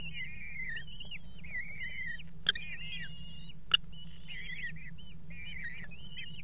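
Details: Eurasian kestrels mating on the edge of a water tower nest box, 5 February 2018: wavering, whining harmonic calls in repeated strings, with two sharp clicks and a constant low hum beneath.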